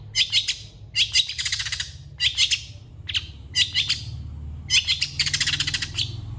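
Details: Long-tailed shrike in full active song: harsh, rattling chatter bursts of about half a second each, repeated at uneven intervals, with a low background hum throughout.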